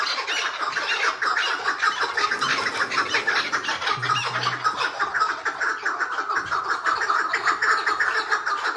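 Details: Tethered captive Chukar partridge giving its hıngırma call: a dense, raspy chuckling of rapid pulses, steady and continuous throughout, with a brief low hum near the middle.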